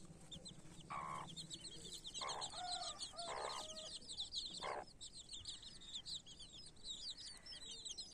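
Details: Mother hen with her baby chicks: four deep, broad clucks spaced about a second apart, under a constant stream of high, thin chick peeps.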